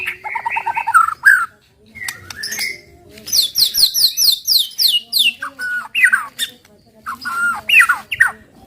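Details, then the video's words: White-rumped shama 'tembakan' song intended to provoke other shamas: mixed whistled phrases, a quick run of repeated high slurred notes, and scattered sharp calls. "TEMBAKAN MURAI BATU PEMANCING EMOSI AMPUH BIKIN AMPUH BIKIN MURAI CEPAT BUNYI"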